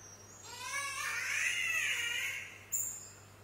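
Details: Spotted catbird in Australia giving a cat-like call: one drawn-out, nasal, harmonic-rich wail that swells and wavers for about two seconds, then fades, with a brief sharp high note near the end.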